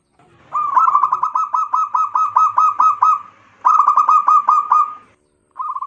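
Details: Lure song of a local zebra dove meant to stir other birds: a long bubbling series of short, evenly spaced cooing notes, about ten, a pause, then a second shorter series and a final brief phrase.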